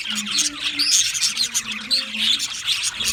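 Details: Budgerigars chirping in a flock: quick high chirps and short whistled notes over steady scratchy chatter, plus a faint low humming tone underneath.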